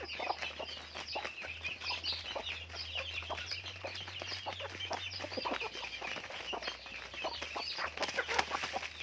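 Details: Raised farm chickens cluck and peep without pause, short bright notes over a low steady mechanical hum.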